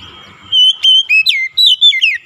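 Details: Oriental magpie-robin (kacer) song used to bring a stressed, silent bird back into song: a long thin whistle leads into six or seven loud, clear notes, some steady, some sweeping downward.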